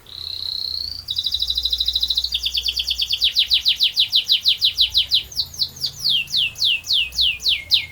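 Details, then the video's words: Long rolling canary song: it opens with a held high whistle, then runs into fast pulsed trills. The trills slow gradually into wider, drawn-out descending swoops by the end. "Burung Kenari Gacor Ngerol Panjang"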